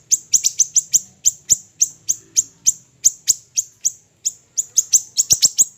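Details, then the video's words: Small siri-siri bird in a keepers' training recording, delivering a steady run of crisp, very high ticks, spaced about a third of a second apart, bunching into quicker doubles near the end. Soft low background hum. "MASTERAN HANDAL burung siri siri kecil"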